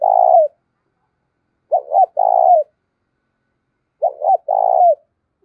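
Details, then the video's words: Spotted dove used as a decoy to lure wild doves, voice style 'giọng thổ'. It opens with the tail of a long burry coo, then two phrases about two seconds apart, each two quick hooked notes and a sustained falling coo. "cu gáy giọng thổ thúc cực đỉnh dùng kích bổi hiệu quả"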